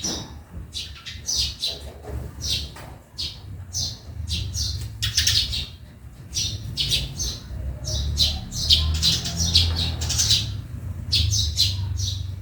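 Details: Sparrow chatter in a backyard: clusters of crisp, high chirps with short pauses between bursts, some harsher squawky notes, and low rumbling noise beneath.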